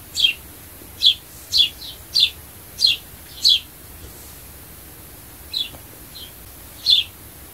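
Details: Sparrow call meant to attract birds: a run of bright, clipped descending chirps about every half second, a pause, then a few more scattered chirps, clean background.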